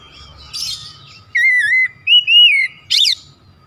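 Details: An oriental magpie-robin sings a provoking lure for other magpie-robins: a scratchy note, then two long, pure whistles, the second rising slightly, ending in a harsh buzzy burst, with a faint steady tone behind.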